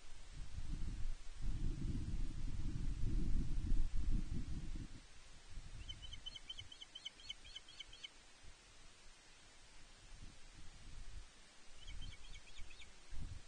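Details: At Loch Arkaig Nest One, 31 May 2023, a female osprey fish-calls for her mate: strong wind buffeting first, then a quick string of about ten thin, high chirps, and a shorter burst near the end.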